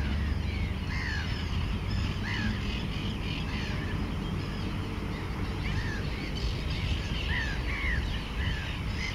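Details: Mediterranean gulls at their raft breeding colony, Montjean-sur-Loire, Maine-et-Loire, 3 July 2013, among black-headed gulls and common terns; scattered rising-falling nasal calls, some farther off, over a steady low roar.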